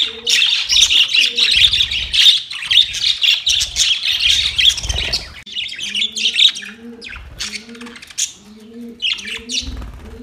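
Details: Budgerigars talking to each other in a dense, continuous warble of fast, scratchy chirps and twitters for several seconds, later thinning out while soft, repeated coos from another bird join in.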